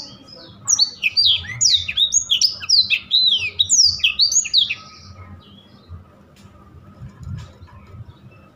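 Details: Blackthroat in rolling song: a four-second string of quick, high, downslurred whistles and chirps, followed by near silence with faint low background rumble.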